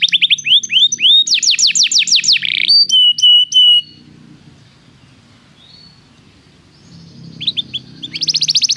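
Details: Canary song played to make a canary sing: falling whistles, a rapid descending trill and a steady pure whistle, then near silence before fast high trills resume at the end.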